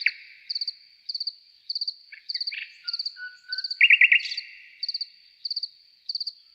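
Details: Nightingale giving short scattered notes, a soft whistle and then a loud, harsh rattling burst midway, while crickets chirp in quick regular triplets throughout.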